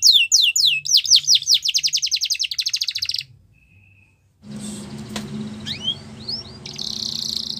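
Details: Yorkshire canary song for training young canaries, opening with quick falling whistles and a rapid trill, then a pause and a noisier stretch with a few rising chirps and a buzzy note.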